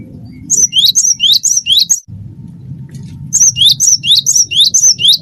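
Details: Energetic cinereous tit song, wingko variety of gelatik batu, meant to coax other birds into singing: two runs of quick paired notes, bright whistle dropping into an upward-slurred note, separated by a pause, steady low hum beneath.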